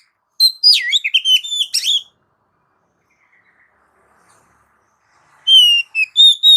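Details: Oriental magpie-robin singing a lively training song to provoke pet birds: rapid high whistled notes and sharp chips in a tumbling burst, a pause, then clear rising whistles returning.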